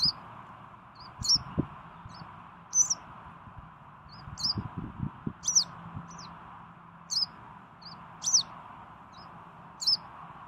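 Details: Western yellow wagtail, recorded 12 June 2018, giving thin, high, sharp calls about every second or two, over a steady low hum and occasional soft thumps.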